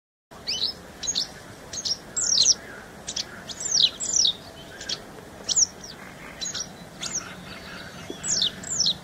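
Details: Sharp, high downslurred notes from a paddyfield warbler, delivered unevenly about every second, over a steady background hiss.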